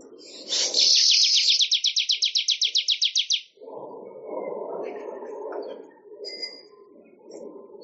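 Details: Weaver (manyar) song used for training songbirds: a loud buzzy onset, then a fast run of about twenty sharp high ticks repeated evenly, followed by a lower murmuring chatter and soft background noise.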